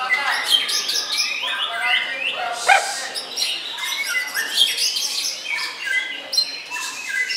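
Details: Competition white-rumped shama, second in the main class at Jemundo, Sidoarjo, Indonesia, Sunday 21 January: loud bright whistles, quick trills and harsh bursts, with several birds singing at once.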